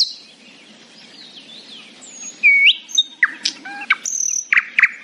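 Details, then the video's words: Happy morning singing by a nightingale: soft, distant warbling at first, then loud clear whistles, a sliding note and short sharp chirps in quick succession. "A happy nightingale singing in the morning."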